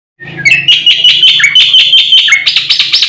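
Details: Black-winged myna, a caged bird kept for training other birds, in energetic full song: rapid repeated harsh, buzzy chattering notes with bright whistled inflections, delivered about three per second without pause.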